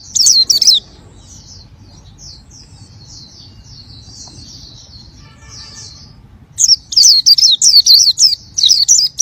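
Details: Oriental white-eye singing energetically: a brief burst of loud high chirps, then a long soft sequence of faint thin whistles, before a bright run of rapid, curving chirps returns.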